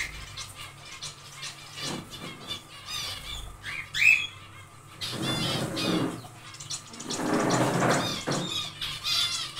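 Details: Small aviary of zebra finches during nest building; scattered nasal call notes with bursts of rustling, thumps and fluttering through the middle and end.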